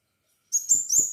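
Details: Lure recording of a crimson sunbird singing energetically: a brief run of piercing, very high, slurred tweets joined into a quick chittering phrase, with no other sounds.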